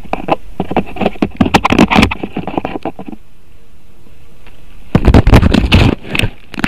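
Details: Bursts of rapid knocking and scraping against a microphone, a quiet pause, then more clattering thumps; no vocal sounds.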